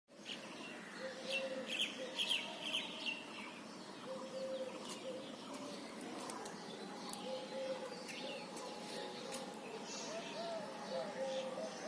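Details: Birds chirping outdoors: a cluster of high, quick twittering chirps early on, then sparser chirps, over soft low cooing phrases that repeat throughout, with scattered sharp clicks and a steady background hiss.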